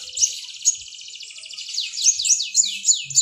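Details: Mountain white-eye singing vigorously: a fast, high, continuous twittering warble of rapid repeated notes, with sharper bright accents scattered through it and brief down-slurred phrases toward the end.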